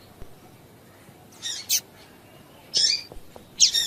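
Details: Calls of a female double-collared seedeater, played to stir males into song: brief, bright, high-pitched chips, a pair near the start and single notes after a pause, with soft clicks in between.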